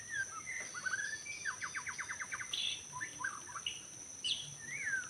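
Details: White-rumped shama singing in forest during bird trapping: a fast rattling series of short notes, then scattered whistles and a rising, slurred final phrase, with a constant high insect hum behind.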